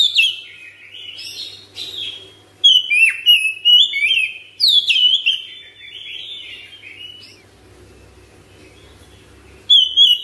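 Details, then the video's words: A captive, home-kept Oriental magpie-robin in full ngropel song, long-breathed and rapid: sweeping whistles that slide downward, chained into phrases, then a quieter stretch and a fresh loud whistle at the end. "KACER RUMAHAN CEPAT GACOR NGROPEL NAFAS PANJANG"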